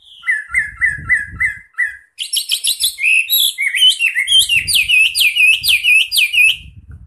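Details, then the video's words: A wambi sings actively: five quick clear slurred whistles, then a fast, high, tumbling twitter of looping notes that runs for several seconds. "burung wambi gacor mantab"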